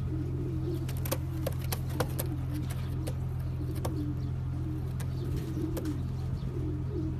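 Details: Cooing of champion racing pigeons: soft, wavering low coos in repeated phrases, interrupted by frequent sharp clicks and taps above a constant droning hum.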